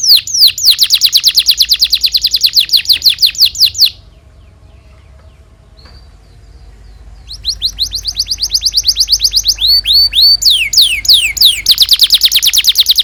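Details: Long canary song from a recording meant to teach young canaries: rapid high trills for several seconds, a brief pause with a faint thin whistle, then more trills and looping upswept notes.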